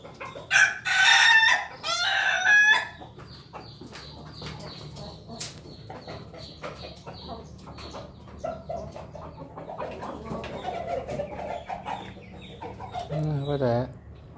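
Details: A Pelung rooster, recorded 18 May 2024, gives loud, harsh crowing bursts, with further clucking and a falling drawn-out call later.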